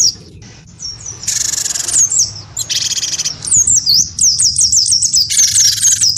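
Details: Cinereous tit, a caged wingko-type bird in full song, provoked into a fighting duel with a white-eye: rapid high whistled downslurred notes, interrupted by harsh buzzy bursts.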